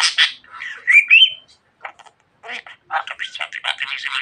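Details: Budgerigar kept as a pet, chattering rapidly: a harsh opening burst, two clear rising whistles, then a pause and dense scratchy speech-like warbling.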